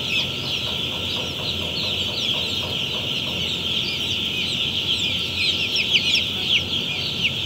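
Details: Day-old broiler chicks on their first day in an automatic poultry farm in Pakistan: a large flock peeping constantly, a dense wash of high, thin cheeps with a steady hum of machinery underneath.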